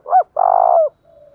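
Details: Thổ-style cooing of a Spotted dove, played to make a captive bird sing: a short rising-falling note, a pause, then a long buzzy coo that slurs downward at the end, and a faint quiet note after.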